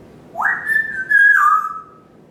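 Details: Pet parrot whistling from its stand in a home kitchen and dining area in the morning: a quick upward swoop into a long level note, a slight dip, then a lower sustained tail fading out.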